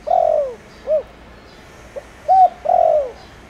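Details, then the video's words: Thổ Đồng-voiced spotted dove calling as a lure for wild doves: a long purring falling coo and a short coo end one phrase, then a tiny note, a coo and another drawn-out descending purr begin the next. "Cu gáy gáy gọi kích bổi nhanh nổi/Tiếng cu gáy Thổ Đồng/Cu gáy mồi cây kích bổi nhanh gáy"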